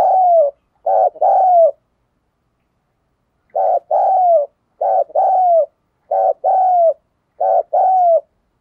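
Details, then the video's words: Spotted dove 'thúc gù' and 'gáy gọi' cooing, used as a lure for wild doves. Five phrases, each a brief pulsing hoot followed by a drawn-out, falling coo, with a pause after the first. No other sounds. "tiếng cu gáy thúc gù và gáy gọi"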